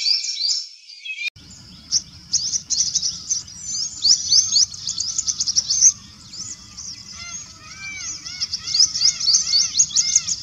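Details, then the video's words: Purple sunbird in eclipse plumage in a backyard, singing fast, very high, thin twittering throughout. Another bird's lower, arched, repeated notes join in the second half over a steady low background rumble. "Purple sunbird in eclipse plumage singing different songs"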